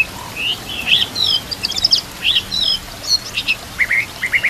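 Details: Murai batu (white-rumped shama) singing in a training recording for other murai: quick, scattered chirps and sharp whistled notes in irregular bursts, with short gaps between bursts.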